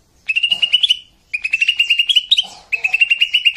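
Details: Three quick stuttering trills from a greater green leafbird in "tembakan kasar" harsh-burst style, used as training audio for captive birds, each rising slightly with buzzy overtones.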